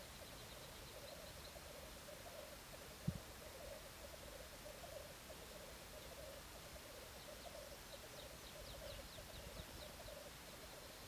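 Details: Black grouse courtship display: a soft, low, continuous bubbling roll in repeated bursts beneath strong hiss, with scattered faint higher calls and a single sharp knock.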